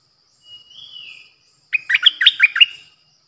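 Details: Decoy bulbul, 8 May 2021: a soft, level whistle gives way after a brief pause to a lively string of six warbled chirps.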